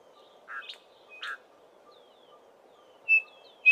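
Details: Small group of Chinspot Batises calling while foraging in tall Acacia trees; two soft, rasping notes, then a clear, steady whistled note and a sharp chip near the end.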